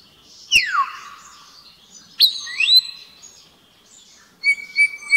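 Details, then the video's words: Common blackbird in the courtyard of Agios Vasileios church, Paralio Astros, Greece, March 2017, midday; a sharp falling whistle, a clipped upward-swooping note, then short high bright notes, with sharp clicks between phrases. "Common blackbird «Turdus merula»"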